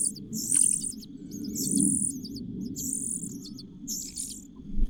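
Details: A cuckoo chick begging in a host nest gives four hissing, high bursts about a second apart over a steady low rumbling background.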